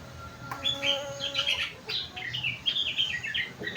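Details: Kutilang, or sooty-headed bulbul, with a song filled with rengganis and cucak wilis phrases: quick bright chirped notes strung in short series, varied in pitch, over a faint continuous low tone.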